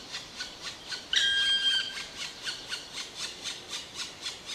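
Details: Black woodpecker giving a single drawn-out, plaintive whistled note with a slight fall, lasting under a second, set against a steady background of soft, evenly spaced ticking pulses.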